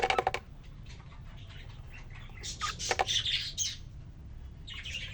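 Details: Caged male cockatiel, kept alone three days and then given a newly introduced female, calling to her: harsh, broadband squawking bursts, one sharp burst at the start and a louder cluster midway.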